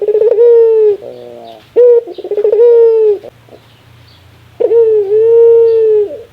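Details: Laughing call of a ringneck dove: stuttered chuckles and long, level coos. A pause of about a second and a half with faint low hum comes before a final extended coo.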